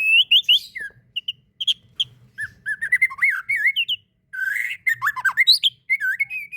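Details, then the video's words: Murai batu, the white-rumped shama, singing in fighter style for masteran tutoring: energetic chains of looping whistles and chattering slurred notes, delivered in bursts with brief silences. "Masteran mury batu fighter"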